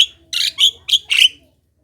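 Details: Javan myna, lively singing used as a lure to draw other Javan mynas into song: a short burst of four harsh, buzzy notes with whistled overtones, each about a quarter second long, separated by brief pauses.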